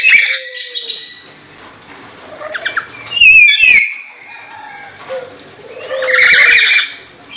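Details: Lory screeching in loud, grating bursts at the start, around three seconds and near six seconds, separated by softer thin whistles and quiet chirps.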